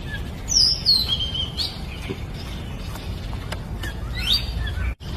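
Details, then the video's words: Oriental magpie-robin singing actively in the wild: a loud whistled descending phrase with sweeping high notes, then a pause and a shorter upward-swept phrase, over steady broadband outdoor noise. "Kacer gacor di alam liar"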